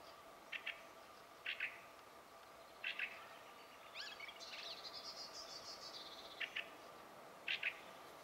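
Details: Fieldfare song captured with a Sony HDR-PJ10E camcorder: short harsh chattering double notes repeated about every second or so, broken by a longer squeaky, rattling twittered phrase, over a steady faint background hiss.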